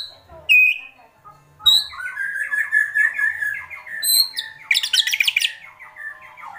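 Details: Agitated white-rumped shama singing kretekan, a rapid run of short descending notes strung into a fast rattling series, with sharp high whistles and a dense burst of high chattering near the end.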